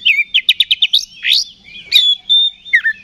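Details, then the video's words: Oriental magpie-robin song aimed at stirring other magpie-robins to fight; a fast burst of six clipped notes, a rising sweep, then a long pure whistle and a dropping slur. "KACER GACOR NGEPLONG TARUNG !! PANCINGAN KACER PALING AMPUH BUAT MENAIKAN EMOSI KACER AUTO RESPON"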